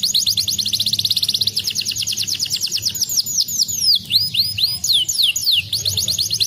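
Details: Canary song played to stimulate lazy canaries to sing: a fast, high, rolling trill of rapid repeated notes, shifting into slower sweeping whistled notes and then more quick trills, over a faint low hum.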